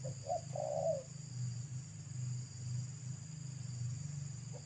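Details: Wild spotted dove of local pesom type near a road gives a single phrase of short notes ending in a longer coo, then falls quiet while a deep continuous hum carries on.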